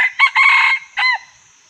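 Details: Red junglefowl crowing: a short, hoarse crow broken into several harmonic syllables over about a second, ending in a separate trailing note that bends downward, with otherwise quiet surroundings.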